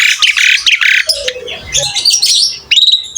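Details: Asian pied starling in lively full song: rapid jumble of harsh chattering notes and high buzzy bursts, a few falling slurred whistles, ending in sharp ringing high notes.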